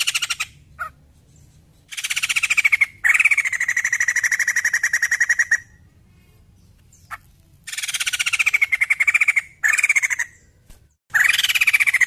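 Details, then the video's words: Lively White-crested laughingthrush song, used as a prompt to make other birds sing: long bursts of rapid, harsh cackling chatter lasting several seconds each, with short gaps and a few clipped notes between. "POKSAY JAMBUL GACOR AMPUH PANCING BUNYI"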